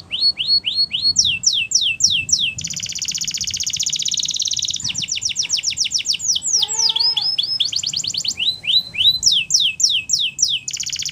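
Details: Canaries singing in the wild, cycling through many tours: fast repeated down-slurred notes, long buzzy rolls, and a brief passage of lower, clear whistled notes midway before trills resume.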